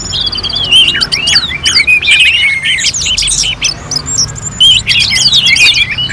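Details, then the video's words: Orange-headed thrush singing for a bird-contest simulation in North Bali: jumbled high whistles, sharp chips and scratchy twitters in quick bursts, densest at the start and end. "KICAUAN ANIS MERAH"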